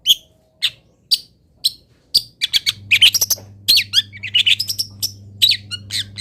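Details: Local long-tailed shrike producing fill-in phrases for master training: slow, evenly spaced high chips that break into a fast, jumbled chatter of scratchy and twanging notes, over a steady low electrical hum.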